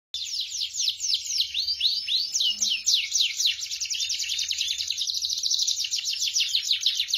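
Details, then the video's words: Several young, untrained canaries join in after a lure song, singing together in a dense, continuous chorus of rapid, high, rolling trills and quick rising and falling sweeps that overlap without pause. "Langsung nyaut gacor dor, banyak kenari bahan ikut gacor"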